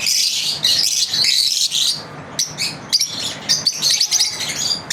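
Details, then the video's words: Lovebirds kept at home, daily routine, chattering loudly with high scratchy chirps for two seconds, then quicker clipped tweets in uneven bursts. "Lovebirds Chirping Video Daily routine"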